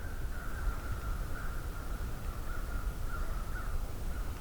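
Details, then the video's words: Several American crows calling as they come toward the recordist at Johnston Harbour in mid-May 2023: faint, distant caws run together in a steady series, with low rumbling background noise. "Sounds like some crows are coming this way. This is nice."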